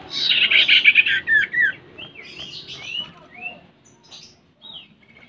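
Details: Common Iora song used as a lure to get a bird singing: a harsh, buzzy burst of chirps, then a string of short sliding whistles that fade and grow sparse.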